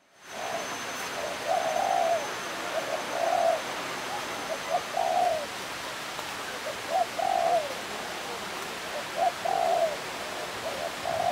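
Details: European turtle dove displaying at the bird park in Kuala Lumpur, Malaysia: soft, low purring coos in short groups every two to three seconds, against steady rushing water.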